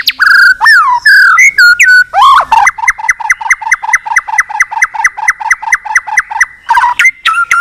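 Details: White-rumped shama's long fighting-provoking song: varied swooping whistles, then a long run of about twenty identical short downslurred notes repeated steadily several per second, ending in higher whistles.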